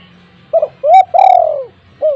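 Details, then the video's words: Spotted dove kept indoors, its call a lure so mute doves answer: a crisp four-part coo, brief first note, rising second, long descending third and short closing note, over light background hum. "burung tekukur dirumah yang bisu auto langsung ikut bunyi"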